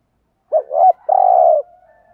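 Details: Single thúc gù phrase from a decoy spotted dove used for luring wild doves: a quick wavering double note, a slight pause, then a sustained mellow coo.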